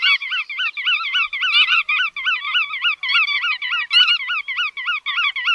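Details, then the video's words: Chắt đuôi vằn bird producing a steady rhythmic chain of short, nasal, up-and-down notes, about three or four per second, with faint clicks. "Tiếng Chim Chắt Đuôi Vằn"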